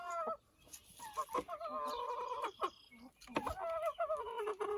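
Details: A pet backyard rooster whistling for an unknown reason: a run of drawn-out, wavering nasal calls rising and falling over several seconds, broken by short gaps and a few sharp knocks.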